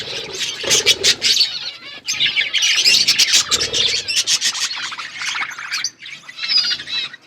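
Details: Budgerigar flock in an outdoor aviary, dense overlapping chirping and warbling chatter from many birds, high and busy with short sharp notes, brief quieter gaps around two and six seconds.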